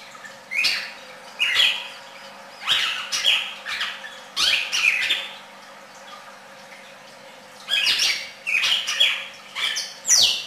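Red-crested cardinal giving bright, slurred whistled phrases of two or three notes, repeated about every second with pauses, over a faint steady hum.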